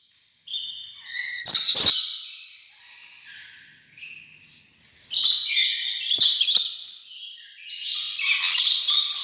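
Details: Rainbow lorikeet chattering: shrill high chirps and short screechy notes in a loose burst, then a quieter pause with soft twitters, followed by two dense bursts of harsh, very high squeaky chatter.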